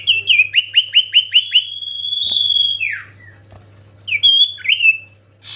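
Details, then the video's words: Vigorously singing common iora: seven quick, evenly spaced chirped notes run straight into a long sustained whistle that slides downward, followed after a pause by a few sharp rising and falling notes, with a low hum underneath. "Cipoh sirtu gacorrr"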